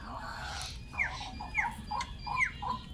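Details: Pet starling of four years gives a string of clear whistles that each slide downward, spaced roughly every third of a second, after a moment of human voice at the start.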